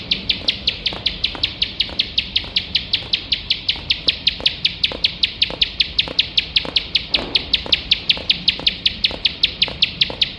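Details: Bar-winged prinia singing non-stop in the rapid 'nembak' style, used for training competition birds: sharp high chirps repeated steadily about five per second throughout, with faint lower clicks beneath.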